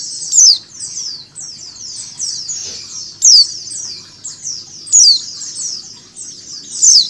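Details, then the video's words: Captive-style mix: a female mountain white-eye's calls laid over a flock's chatter to stimulate birds to start calling. Loud, high, downward-slurred chips come every one and a half to two seconds over a busy wall of rapid twittering. "PLECI BETINA ngecal + suara pleci ombyokan"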